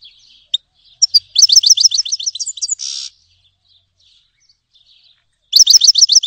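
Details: Grey-headed goldfinch song: a lively run of high, rapidly repeated chirping notes ending in a rasping buzz, then after a quiet gap another quick twittering burst begins.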